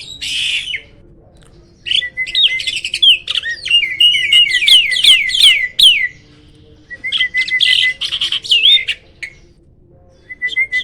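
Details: Black-winged starling, described as rarely met in the wild, giving loud bursts of high, harsh chattering calls mixed with clear whistled notes and rapid repeated rising slurs, in phrases separated by short pauses.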